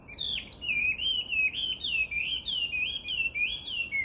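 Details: Chinese hwamei in full song, recorded 18 July 2019: a continuous series of loud, clear whistled notes that rise and fall in quick wavy phrases, roughly two per second, with steady high-pitched background hiss.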